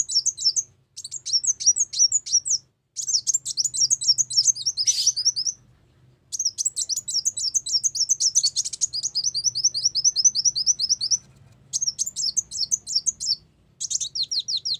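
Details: Brown-throated sunbird song played as a trapping lure: long runs of thin, very high, fast chattering chirps and trills, broken by brief pauses, with a faint low hum beneath.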